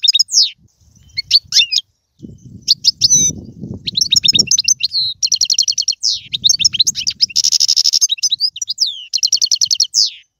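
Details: European goldfinch song played to spur a pet goldfinch to sing: rapid liquid twittering with buzzy trills and repeated chirp runs, broken by short pauses, over a low rumbling background.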